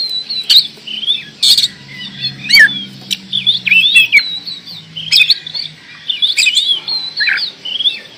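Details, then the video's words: Oriental magpie-robin in full, energetic song, a rich string of bright whistles, quick upslurs and twittered runs with brief pauses, punctuated by hard clicking snaps, with a faint low hum beneath. "Kacer gacor door"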